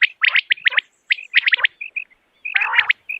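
A common quail gives quick bursts of sharp, liquid notes, several clipped chirps per second, with a short harsher burst near the end.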